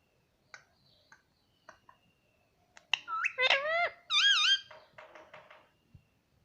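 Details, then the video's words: Pet parrot mimicking words like "mitthu" and "mummy": scattered clicks give way to a burst of nasal, wavering, speech-like syllables, then softer chatter and quiet taps indoors. "मिट्ठू मिट्ठू बोलेगा तोता _ मम्मी बोलने वाला तोता मैना _ parrot sound"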